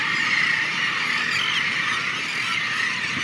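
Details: Breeding colony of thousands of seabirds at Ft. Wool, Hampton Roads, on makeshift sand-covered structures and nearby barges, heard during a boat trip; a dense, unbroken chorus of shrill overlapping squeals and squawks with steady background hiss.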